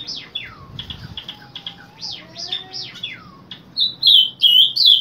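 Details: Morning song of a Summer tanager, which sings daily from 7 am: several other birds give falling whistles and chips first, then the tanager's bright warbled phrases come in strongly over the last second.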